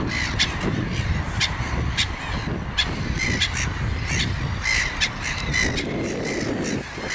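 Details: Gulls uttering brief, raspy barks, some followed by longer wailing notes, from several birds at once, against a continuous rumbling background.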